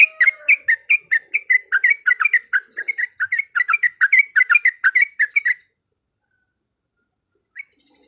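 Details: Yellow-vented bulbul singing as a lure to provoke fighting song: rapid repeated bubbly chirps, roughly four a second, for five and a half seconds, then silence with one last note.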